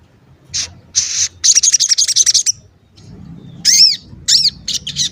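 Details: Sogon chirping as a lure for other sogon: a short high note, then a stuttering run of rapid shrill chirps, a pause, and several quick arched whistled notes.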